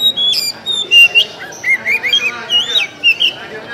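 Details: Oriental magpie-robin (kacer) giving its basic LDA (Langit Di Atas Awan) song: a steady run of varied whistled, slurred notes that rise and fall in short phrases, with sharp clicks and chips mixed in.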